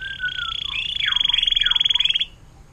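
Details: Canary delivering its long 'air mancuran' (fountain-like) song, kept as a tutor recording for murai batu, cucak ijo and cendet. A low whistle leads into a loud, rapid, rattling high trill with descending sweeps, ending abruptly.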